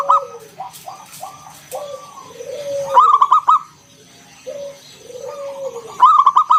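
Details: Loud local zebra dove in ngalun kung bulat style, used to coax other doves into song; two quick stuttering coo phrases about three seconds apart, with low gliding notes and faint rustling between.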